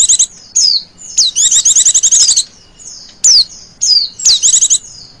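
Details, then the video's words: A female Oriental white-eye gives a lure call in the trilling ngecir style. Sharp, high, descending notes mix with fast rattling trills at a very high pitch, in bursts separated by brief pauses. "pancingan pleci betina ngecirrr"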